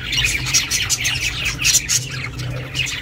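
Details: Pet budgie chirping, meant to keep solitary budgies company: quick run of bright, scratchy chirps and thin whistled notes, closely packed, above a low droning hum.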